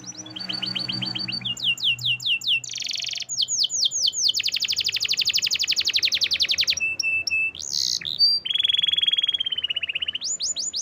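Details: Canary singing a long varied song: descending whistled phrases, a dense rapid rolling trill lasting several seconds, a sharp rising whistle, then a fast buzzy trill and more swooping notes, very high and bright.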